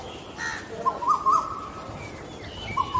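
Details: Asian koel (Eudynamys scolopaceus) giving short, clear, rising whistled notes in a quick series, then again after a pause, over soft background hiss and a faint other bird.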